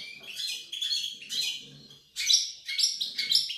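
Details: Pied European goldfinch singing, 28 November 2020: bursts of quick liquid twittering notes, a brief pause near the middle, then brighter sharp chirps repeated roughly twice a second with faint low room noise beneath.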